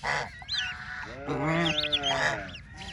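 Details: Ducklings playing in water: high, wavering peeps and chirps mixed with louder nasal, honking calls that hold steady for about half a second.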